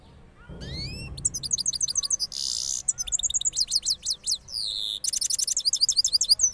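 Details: Cross goldfinch from Parachinar after moulting: a rising whistle, then quick twittering phrases broken by short buzzy trills and sweeping slurs in a rolling song.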